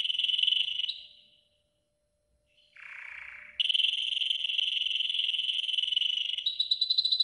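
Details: Golden yellow canary delivering a training song: a rolling trill fades out, silence follows, then a lower buzzy roll and a long steady bright trill that shifts higher near the end.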